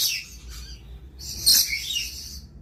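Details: Lorikeet uttering a harsh screech, a short pause, then a longer, louder grating shriek that trails off, over a faint low hum.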